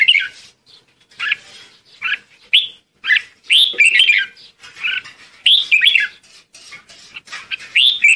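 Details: Red-whiskered bulbul calling to gather its flock, giving lively whistled and chattering notes in quick irregular bursts, some phrases sliding upward, with short pauses between groups.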